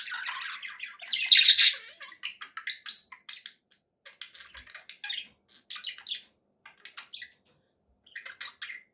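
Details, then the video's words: Happy pet budgies indoors giving rapid clicking ticks and bright chirps, a loud buzzy burst near one and a half seconds, then sparser short chirps with gaps. "happy budgie sounds"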